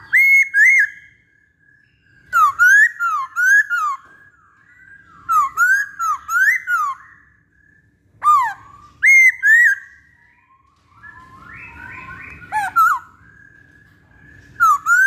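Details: Pancingan recording of a poksay Hongkong, the masked laughingthrush. Bursts of loud, bouncing whistled phrases, each a few wavering notes, are separated by short pauses. Quieter sustained tones fill the gaps, with faint background noise.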